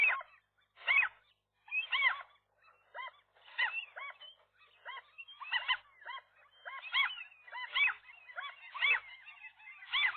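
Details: A gull pair at their nest confronting a lone gull that tried to get between male and female one morning, April 2023: rising-falling squealing calls in quick irregular series, voices overlapping.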